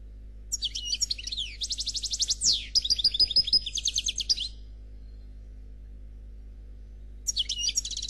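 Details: European goldfinch, called Noir, singing a flawless khalwi-style song: fast, high, twittering phrases with buzzy trills and a downward sweep, a pause, then a fresh burst of tinkling notes near the end.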